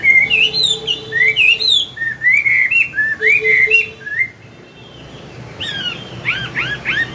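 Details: Morning song of a mature wild-caught Chinese hwamei in forest voice, played to train young birds: looping whistled notes, repeated rapidly, then a quiet gap before a few higher arched whistles.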